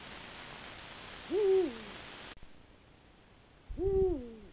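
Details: At dusk a mated pair of Eurasian eagle-owls, male and female, call from a sharp rock on a hilltop, courting and warning rival neighbours of their defended nesting ground; two low, steady hoots that fall away at the close, separated by a quiet gap.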